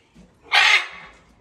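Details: Sanctuary macaw calling during a morning greeting; one loud, harsh squawk lasting about a quarter second, with quiet speech before and after.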